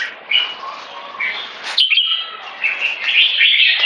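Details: Red-whiskered bulbul song in 'one stroke' style building to 'keke': soft rambling warbles at first, then a sudden high note and a dense, loud stretch of rapid whistled chatter.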